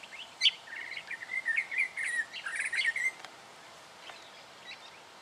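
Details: Black Honeyeater in Victoria, Australia, October 2011, giving a quick run of thin, chirping notes for about three seconds, then a few softer scattered chips against a quiet background.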